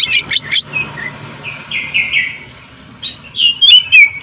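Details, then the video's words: Greater green leafbird, cucak ijo, jamtrok tembakan song compared to a sewing machine; here a few sharp chips, then drawn-out buzzy notes and a closing run of bright rising-falling whistles. "CUCAK IJO JAMTROK TEMBAKAN SUARA MESIN JAHIT"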